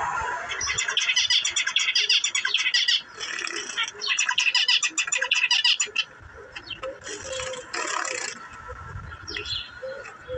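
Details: Zebra finches in India chattering in bursts: rapid runs of short, nasal beeping notes packed several per second, pausing and restarting, with softer lower chirps and background murmur between bursts.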